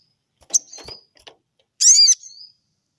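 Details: Sooty-headed bulbul answering at once, agitated after a rival calls: brief high whistled notes and faint clicks, then a loud, harsh, arched burst with a thin rising whistle tailing off afterward.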